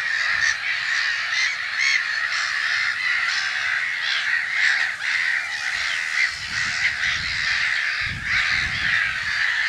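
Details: Black-headed gulls calling at their nests in spring, heard from an observatory in Brenne, Berry, France, in mid-March 2012: a dense, continuous chorus of harsh, overlapping screeching calls, with low thumping rumbles near the end.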